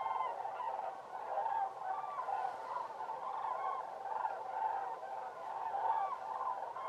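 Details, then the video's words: A large flock of cranes at Laguna de Gallocanta in December 2013 calls continuously, rolling trumpet-like notes overlapping into a steady chorus with no pauses. "El sonido de las grullas"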